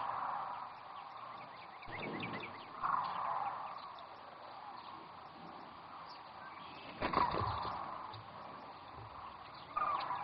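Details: Sandhill cranes at Rowe Sanctuary on the Platte River in Nebraska, a steady mid-pitched din of many birds calling together, broken by two loud low thumps and a sharper burst near the end.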